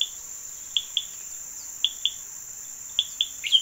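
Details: Yellow decoy bird singing, described as singing well: short high clipped notes, often in pairs, spaced irregularly about a second apart, ending with a brief downward sweep, over a steady high insect drone.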